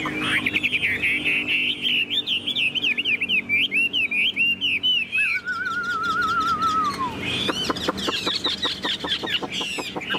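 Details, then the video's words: Chinese hwamei, a tame caged bird in a hand-carried cage, singing with a fine display: loud rolling whistled phrases, then a long descending warble, then fast sharp repeated notes. "Chim thuần sách lồng hót, bóng bộ cực đẹp"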